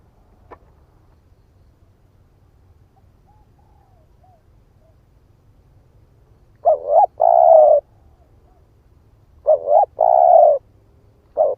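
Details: Spotted dove of the split-breast type calling as a lure: several seconds of near silence over a low hum, then two phrases, each a rapid double coo and a drawn-out steady coo, plus the start of a third.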